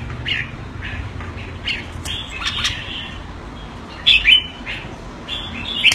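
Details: Singapore cage-kept jambul, or Red-whiskered bulbul, calling keke when commanded. Soft, spaced chirps lead into a louder pair of harsh, clipped notes and a final sharp chirp, with low background rumble throughout.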